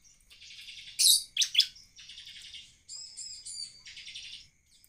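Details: Vigorous bar-winged prinia song used to draw other prinias into singing: buzzy rattling phrases alternate with loud piercing high chips and a clear doubled whistle, all very high-pitched and quickly delivered.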